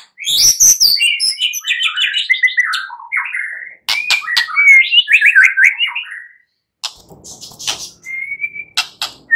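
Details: White-rumped shama night song used to stimulate singing: long, varied warbling phrases mixing rapid trills, descending whistles and sharp clicks, a brief pause, then a clear sustained whistle.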